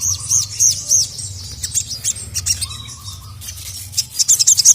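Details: Sogon, a sogok ontong, with a female calling a male and the male answering angrily: high thin chirps in short bursts, sparse at first and then quicker notes near the end, over a steady low hum.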